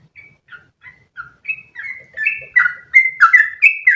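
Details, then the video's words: Sooty-headed bulbul, long continuous song meant for training other birds; begins with soft, spaced whistles that swell into a loud, quick string of sliding notes. "MASTERAN burung trucukan terbaik biar ikutan ropel panjang 1 nafas"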